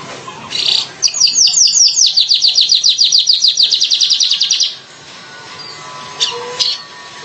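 Streaked Weaver: a brief chatter, then about four seconds of rapid, high, sharp ticking notes, with a few faint notes afterwards over a quiet background.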